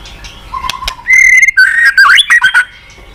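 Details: White-rumped shama lure phrase: a low whistle, then a sustained higher whistle and a fast burst of tumbling whistled notes.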